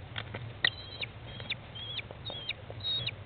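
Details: Nest-box recording of an American kestrel mother feeding chicks on day 15, 20 May 2011, early afternoon; several short, high, slightly falling whines repeat about every half second over faint rustling.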